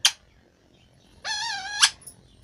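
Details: Talking parrot uttering a single drawn-out, speech-like rising syllable after a sharp click, amid people repeating words nearby.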